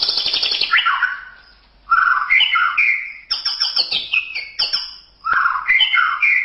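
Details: White-rumped shama (murai batu) recorded as a masteran tutor song: loud rich whistled phrases that slide down and then up, followed by rapid chattering bursts and clear varied notes, with a faint steady high whine behind.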